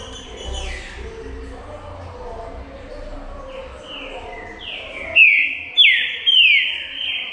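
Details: Green-winged saltator (trinca-ferro) song: soft, distant falling whistles at first, then three loud, ringing whistled phrases that sweep downward and end in a held note, spaced roughly half a second apart; light background hum.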